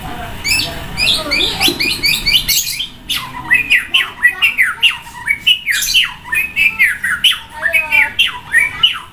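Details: Caged white-rumped shama sunbathing beside a busy road, singing loudly with many varied sounds meant to rouse other shamas: dense rapid chattering and sweeping whistled notes, harsh buzzy bursts early, then fast repeated rising-falling phrases.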